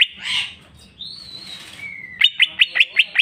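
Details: Greater green leafbird, full jamtrok song with isian fill: a harsh burst, then smooth long whistles that rise and fall, and a run of six evenly spaced sharp chips.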